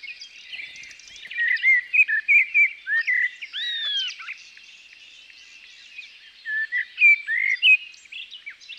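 A common blackbird sings two short runs of mellow, fluted warbling notes separated by a pause, with faint high twittering from other birds behind.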